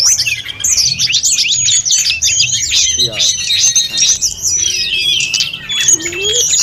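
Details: Lively snowy-browed flycatcher delivering a dense master song of rapid high chirps and twittered trills, with a faint lower rising sound underneath near three and six seconds.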